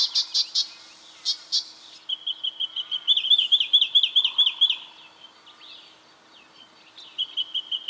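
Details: Brown treecreeper in Victoria, Australia, in October 2011, giving sharp, high 'spink' notes in quick bursts, then a faster rattling run of similar notes, with fainter bird calls behind.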